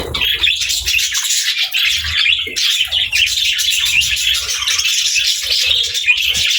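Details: Pet budgerigars kept with lovebirds, eating and playing together indoors; a dense, continuous chatter of high, scratchy chirps and warbles overlapping without pause, with faint low thumps underneath.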